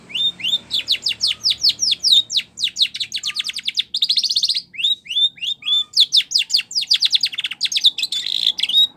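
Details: Training song of a Spanish Timbrado canary: loud, continuous, rapid trills of sharp downslurred notes broken by brief buzzy rattling bursts and short upswept whistles, all very high and clean against a quiet background.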